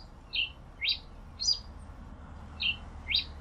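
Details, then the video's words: Pileated finch song of five high, slightly buzzy chip notes with a rising-falling shape, repeated about twice a second, with a short gap before the last two. "Canto del Granero Cabecita de Fósforo"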